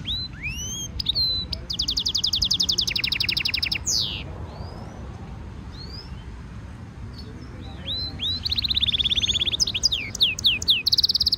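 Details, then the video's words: A European goldfinch mule hybrid gives a training stimulation song: quick upslurred chips, long rapid rattling trills and sharp downslurs, a pause of several seconds, then a fresh burst of high buzzy trills. "European goldfinch Singing Mule -Training - Jilguero Mulo - Carduelis carduelis - Stimulation song"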